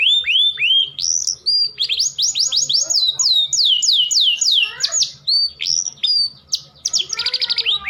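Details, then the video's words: Canary breeding-stimulation song from a breeder: curved whistled notes lead into a quick tour of downslurred whistles, about three per second, with chattering phrases and a faint low hum underneath. "Kicauan Kenari Kawin"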